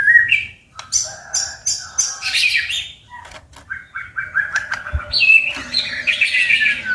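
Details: White-rumped shama in competitive singing: loud, rich, varied phrases of whistles, slurred rising and falling notes and buzzy bursts, broken by sharp click-like strokes, with short pauses between bouts and no other clear sounds.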